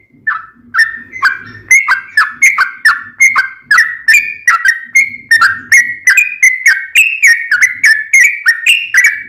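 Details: Sooty-headed bulbul song for teaching caged birds, bright whistled notes given quickly and steadily, about three per second, gently rising in pitch over the phrase, with faint low background sounds.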